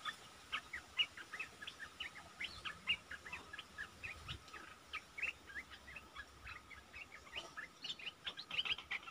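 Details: Asian red-eyed bulbul calls used to lure wild birds, recorded 15 January 2022 while catching the first bird of the year: a continuous chatter of short, bubbly chirps over faint background hiss.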